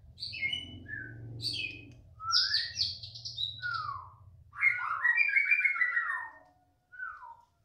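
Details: ["Agitated young wild-caught white-rumped shama reacting to another shama's voice. It pours out varied song: high sharp notes, downslurred and upslurred whistles and dense chattering phrases. A low hum runs through the first half."]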